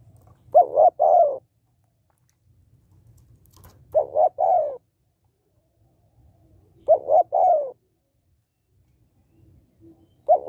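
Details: Female spotted dove coos to stimulate males: three phrases about three seconds apart, two or three quick notes then a longer falling coo, the start of a fourth at the end, faint low background noise.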